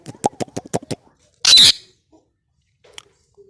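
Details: A talking Indian ringneck parakeet gives a string of quick, gritty, syllable-like chatter, then a loud, piercing, hissy screech lasting about a quarter second. Faint small clicks follow in the quiet room.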